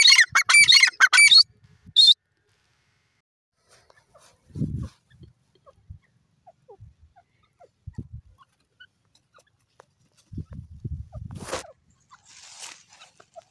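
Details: Grey francolin (irani teetar) calling in the morning: a dense, harsh burst of rapid harmonic notes lasting about a second and a half, then one short sharp note. Low rumbling handling noise and thumps follow.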